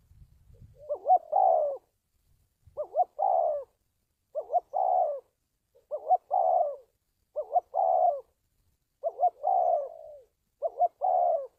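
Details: Spotted dove cooing, meant to train decoys and draw wild doves to traps: about eight regular phrases, each a stuttering double coo and a longer hoarse falling note, after a brief low rustle at the start.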